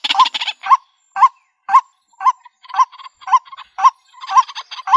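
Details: White-breasted waterhen used as a lure for bird trapping in the countryside: separate nasal notes, each rising then dipping in a quick hook, repeated about every half second, with harsher raspy notes at the start and end.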